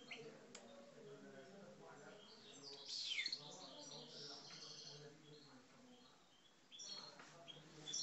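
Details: Algerian parva goldfinches, caged, in aggressive song: a burst of sharp, high chattering notes in the middle, then quieter twitters over a steady low hum.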